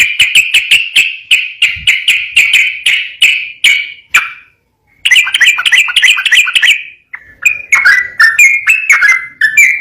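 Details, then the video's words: Yellow-vented bulbul singing the rapid 'ropel garuda' style: a steady string of evenly spaced sharp chips, a short gap, then a fast chattering run and a varied, wavering warble. "SUARA BURUNG TRUCUKAN GACOR ROPEL GARUDA JERNIH"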